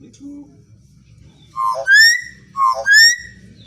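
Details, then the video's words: Common hill myna, natural lure song to set other mynas singing: two loud, clear whistled phrases about a second apart, each a low note followed by a ringing upward-sliding whistle, over a quiet low hum. "Pancingan suara burung beo masih alami kicauan burung beo"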